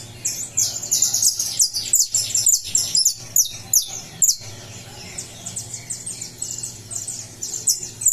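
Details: Saffron finch fresh out of moult, 20 July, pouring out a fast burst of shrill chirps and slurred whistles for about four seconds, then quieter rambling twitter, over a continuous low hum.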